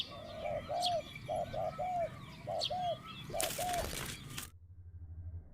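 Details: Captive decoy spotted dove calling with its middle-pitched 'kuk' voice: soft, hollow paired coos in short bursts, high chirps from other birds, then a loud rushing burst of noise before the sound cuts out.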